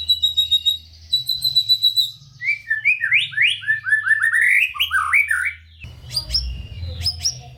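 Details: White-rumped shama singing lively, phrase-rich song to stimulate lazy birds: steady high whistled notes, then a tumbling run of rising and falling slurred whistles, ending in sharp scattered notes.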